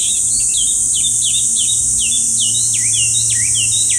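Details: Chinese hwamei delivering a run of loud whistled notes, each a sharp downward-slurred or hooked whistle repeated about twice a second, over a constant high insect-like hiss.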